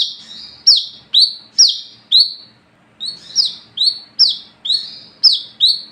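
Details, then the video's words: Brown-throated sunbird (wiceh, coconut hummingbird) in full, lively song: sharp, high, sweet notes that drop quickly then hold, about twice a second, with a brief midway pause; used as a night-time lure call for sunbirds. "SUARA BURUNG WICEH (KOLIBRI KELAPA ) GACOR NGALAS NGEPLONG"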